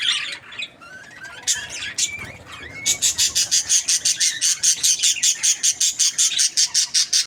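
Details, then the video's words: Happy budgerigar: scattered scratchy chatter and a few thin whistled notes, then a fast, even run of sharp clicking chirps, about five per second, for several seconds. "Happy Budgie chirping sounds"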